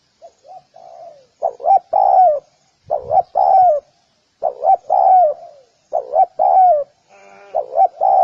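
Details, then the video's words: Spotted dove call series beginning with soft, low coos, then rising into louder phrases of short stuttered notes and a long mellow coo, with a brief buzzy note heard near the end. "Spotted Dove 🐦Call bird sounds"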